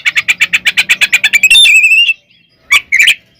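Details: Oriental magpie-robin (kacer) in full fighting song, meant to provoke other kacer into emotion; a fast run of about fourteen harsh repeated notes, then a long rising whistle and two short sharp calls.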